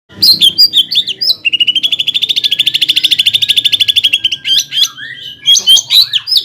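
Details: Greater green leafbird, cucak ijo, singing loudly to provoke a rival bird into fighting mood: varied whistled slurs and chips, then a fast, even trill of about forty notes lasting three seconds, then more warbled whistles.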